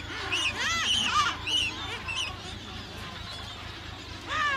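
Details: Adélie penguins at a Paulet Island, Antarctica breeding colony, 1 February 2019; loud nasal arched calls in a quick sequence of four or five, then a pause and one more call, with a low rumble and distant colony noise.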